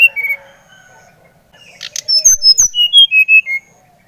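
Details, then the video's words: Brown-chested jungle flycatcher, Bali type, singing to stir another bird into song: a few short whistles, a gap, then a quick descending series of about eight clear whistled notes. "Kicauan SRDC Bali Gacor Merangsang srdc Bahan agar cepat Ngeplong Gacor"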